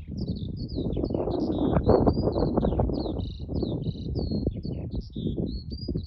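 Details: Over Arranmore in Donegal, Ireland, in March 2024, a Eurasian skylark pours out a fast, high, chattering song of varied chirps and slurred notes without a break, against loud wind.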